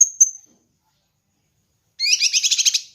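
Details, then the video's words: High thin notes, then silence, then one quick buzzy pulsed burst of about a second from a kinoi bird, recorded as a master track for training and luring birds. "Masteran Dan Pancingan Burung Kinoi"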